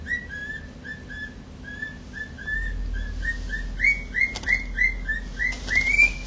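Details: A male pet cockatiel copies a siren with a long series of short whistled notes that begin soft and low and grow louder and higher, each note sliding upward, with a few faint clicks.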